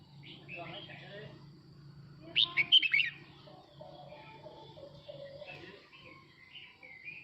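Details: Male red-whiskered bulbul singing to gather the flock, one brisk burst of four or five sharp slurred whistles midway, surrounded by quieter scattered chirps and a faint low hum.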